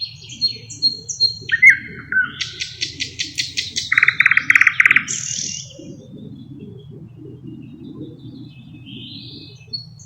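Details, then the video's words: Thrush nightingale (Luscinia luscinia) song, known for mimicking other birds and having 15–20 song types: a varied phrase of high whistles, a rapid rattling series, then a low loud clattering burst and a buzzy note; faint background hum. "How Thrush Nightingales Mimic Other Birds"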